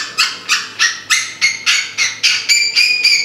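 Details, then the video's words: Female timneh African grey parrot, a pet imitating household noises: a run of about ten squeaky, rising, nasal pulses, roughly three per second, each swelling sharply then fading. "calling a dog, making house noises, and improvisational jazz whistling."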